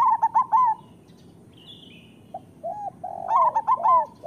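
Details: Zebra doves (perkutut lokal) singing: a quick ringing phrase of bouncing coos opens, then soft single coos and a faint high chirp. A second loud bouncy phrase follows near the end.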